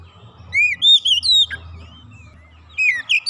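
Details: Oriental magpie-robin singing, meant to get a silent bird singing: clear looping whistles, a long thin descending note, then a few more bright whistled phrases after a pause.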